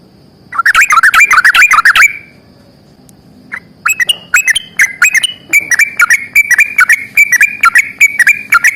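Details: Yellow-vented bulbul in 'ropel panjang' fighting song: a dense burst of rapid chattering warbles. After a short pause, a long run of evenly spaced sharp whistled notes follows, at about four per second.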